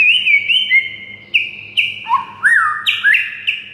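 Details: Song of a white-rumped shama played to provoke a silent bird: flat pure whistles with a few high sparkling notes, then lower rising slurs, steady and clear above a faint hum.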